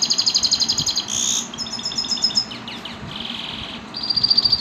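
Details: A Himalayan goldfinch in an aviary sings a quick, high twittering song of rapid tinkling trills and short buzzy notes over a low background hum.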